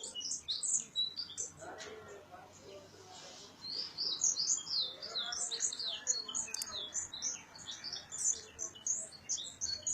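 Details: Bird singing at early morning in a residential area around Gondar, Ethiopia, 2017, as a wake-up sign: dense bursts of high, sharp chirps and trills, about four notes per second, pausing briefly then resuming, with low background rumble.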